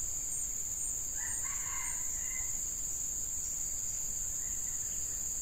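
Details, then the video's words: Red junglefowl heard while a hen is used as a decoy to lure wild males: one short, hoarse, broken crow lasting about a second, fairly faint, over constant high insect hiss and low rumble. "Ayam Hutan Pikat Betina"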